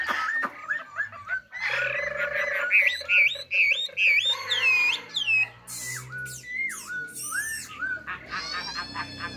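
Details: Caged Chinese hwamei, an untrained bird, delivers rapid rising and falling whistled notes in a rich, varied sequence, then looping slurred whistles and a buzzy high burst near the end.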